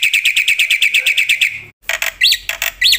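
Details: Black-winged myna singing loudly: a rapid string of about a dozen clipped chirps, then harsh broadband notes mixed with rising-falling whistles.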